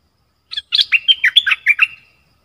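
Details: Song of two dok taeng birds, recorded in 2020 as a lesson for young birds to copy: one short chirp, then a rapid run of about eight clear, descending chirped notes over a steady high whistled tone, in near silence.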